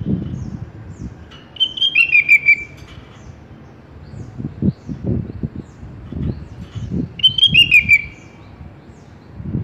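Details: Sooty-headed bulbul (kutilang) song from a masteran tutor recording for cage birds: two bright whistled phrases that dip from high to lower notes, about five seconds apart, over low rustling and background noise.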